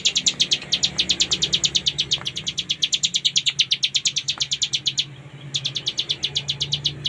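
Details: Hill prinia (cigun) singing in the full 'ngebren' style, kept as a tutor recording for cage birds: a long run of rapid, evenly spaced high chipping notes, a brief break near five seconds, then the run resumes; faint low background hum.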